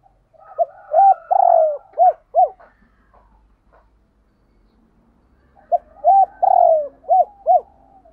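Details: Paired cooing of spotted doves: a loud phrase of short coos and one longer falling coo, repeated after a pause. Fainter overlapping coos from another dove and a low background hum come through.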